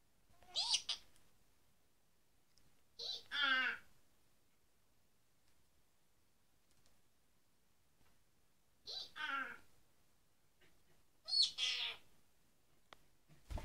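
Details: A one-year-old pet Senegal parrot in Ireland imitates a donkey: four short, harsh, harmonic bursts, each sawing up and down like braying, spaced a few seconds apart in a quiet room.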